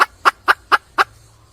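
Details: Wild red junglefowl hen calling for a male: five short, even clucks in quick succession, about four per second, then quiet.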